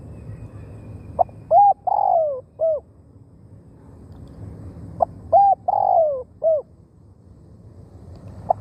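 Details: Spotted dove, a decoy bird used to lure wild doves into a snare trap in Thailand, giving two cooing phrases of four to five mellow, hooting notes. Each phrase has a longer, falling middle note, with phrases about four seconds apart over quiet background.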